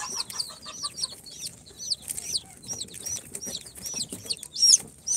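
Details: Four-day-old incubator chicks of Sultan, Golden Sebright, Cochin and booted breeds peep loudly, about two high arched notes a second, sharp and clear, with a few louder shrill peeps near the end.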